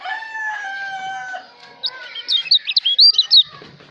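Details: Lombok white-eye song meant for tutoring songbirds: after drawn-out harmonic calls from another bird, a bright run of rapid, high whistled slurred notes lasts about a second and a half, then fades into low background noise.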